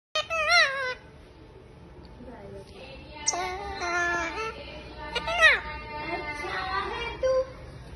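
A rose-ringed parakeet talks in high, nasal, speech-like phrases, three short bursts with quiet gaps, in a small indoor room.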